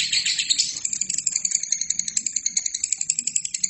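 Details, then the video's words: Lovebird song from a training recording for other birds: sharp, high chatter that starts dense and thins into a rattling series of separate ticks, about four each second, with a faint low hum underneath. "LOVERBIRD GACOR!!!"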